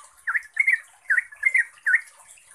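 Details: Yellow-vented bulbul singing to provoke replies from other bulbuls: five bubbly, twisting phrases spaced about half a second apart, with a continuous high hiss in the background.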